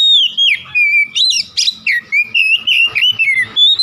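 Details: Oriental magpie-robin singing a rich, varied song of rapid whistled and slurred notes, used to prompt a quiet caged bird to start singing, with steady phrasing throughout.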